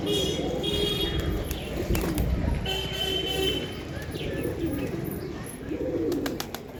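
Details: Several pigeons give low, rounded coos in uneven bursts, with a thin high whistle-like tone twice and sharp clicks and taps around them.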